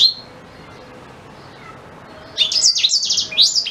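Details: Song of a black-throated canary offered for teaching white-rumped shama: a short high note, a pause, then a fast, shrill run of twittered and trilled notes for over a second.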